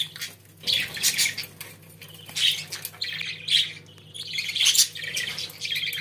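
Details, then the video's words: Pet budgerigars warble steadily: a dense run of high chirps, squeaks and scratchy notes that rise and fall without pause, one louder burst near the middle, soft hum behind. "Muhabbet Kuşlarınız Bu Sese Bayılacak & Ötme Garanti"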